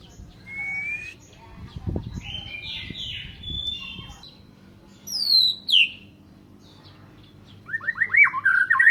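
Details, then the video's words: White-rumped shama song: widely spaced phrases of clear whistles, a burst of high falling notes, then a rapid run of rising slurred notes, with low rumbling background noise. "Kicau Murai Batu"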